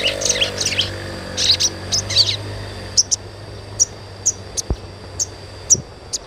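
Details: Fast twittering sogon chirps at first, thinning to single sharp high notes spaced about half a second apart. The recording is meant to coax young birds into song. A low hum runs underneath.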